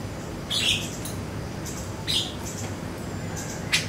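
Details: Siri-siri lure recording for prompting songbirds: three bright, buzzy chirps about a second and a half apart stand out from a hissy background with low rumble.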